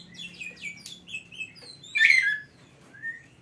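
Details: Oriental magpie-robin, a kept songbird used as a training tutor, giving a quick series of descending chirps and short whistles, then one louder buzzy warble and a final soft rising whistle.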